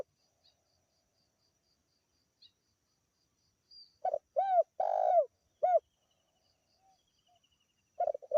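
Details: Spotted dove of a local type calling clearly to attract birds: after several quiet seconds, one low cooing phrase of short and long arched coos, then the start of another phrase at the end.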